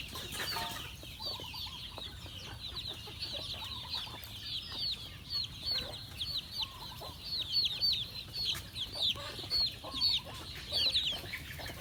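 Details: Farm chickens at feeding time: many high, sharp cheeps tumble over one another in a steady chorus, growing louder in bursts toward the end, over a low background hum.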